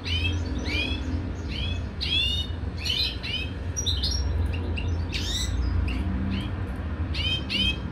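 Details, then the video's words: European goldfinch mating in a cage, giving short bright upward-curving twittered notes in loose series, some doubled, about two per second, over a constant low hum. "Goldfinch mating in the cage"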